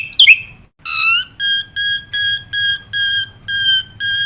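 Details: Black-winged myna in full chattering song, a training recording meant to prompt young cage mynas: a brief twisting whistle, then clear ringing harmonic notes repeated about every third of a second.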